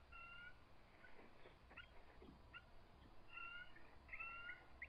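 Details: Two resident eagles in full defensive position at the nest on a March 2014 evening, calling and trilling against an intruding adult. Short stacked whistles with breathy chattering fragments between them, the last notes louder and closer together.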